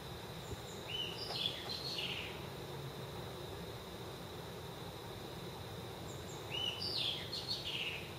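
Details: Brown-eared bulbul (Hypsipetes amaurotis) singing on a home balcony in early morning around 4:20, two short phrases of high, whistled, sliding notes about five seconds apart over a steady low background rumble.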